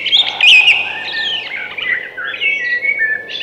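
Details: Continuous thrush singing: bright, rambling whistles and chirpy warbles flow without a break, loudest at the start.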